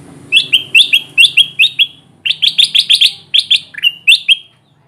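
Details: Ruby-throated bulbul in lively full voice, used as a lure to draw wild birds toward trapping sticks: rapid series of sharp, bright chirps, two quick bursts separated by a short pause, about sixteen notes, with faint low background hum.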